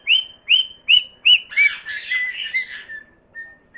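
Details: Parrot singing: four short rising whistled notes repeated about every half second, then a rougher warbled phrase and a few faint drawn-out whistles.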